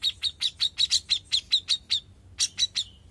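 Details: Young grey-cheeked bulbul singing steadily: about a dozen short, sharp chirps around one pitch repeated quickly, a brief pause, then three more chirps ending in a thin fading whistle; quiet background.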